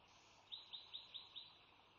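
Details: A bald eagle at the Sauces nest, around the resident female laying the first egg of her second clutch on March 3, 2017. It gives a faint series of five thin, high, piping notes evenly spaced about a fifth of a second apart, over steady background hiss.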